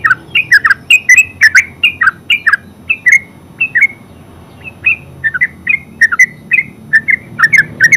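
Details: Yellow-vented bulbul in sustained ngeropel song, eight seconds of almost unbroken bubbly chirping, notes sliding down in pitch, delivered in fast groups with one short break near four seconds.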